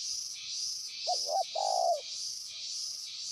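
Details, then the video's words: Decoy spotted dove calling toward a distant rival with a short coo phrase: two brief notes, then one longer sustained low coo. A pulsing insect drone fills the background. "pikat terkukur) burung ajaran sudah mulai manggil lawan jauh"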